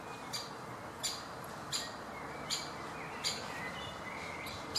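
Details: Great spotted woodpecker youngster recorded on 18 June 2017, giving short, sharp, high clicks about every three-quarters of a second, while other birds whistle faintly in the background.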